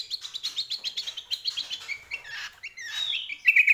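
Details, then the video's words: Greater green leafbird singing energetically: a fast run of bright, chirping notes repeated several times a second, then slurred whistles and a harsh trill at the end, all high-pitched with a clean background. "CUCAK KOMBO GACOR"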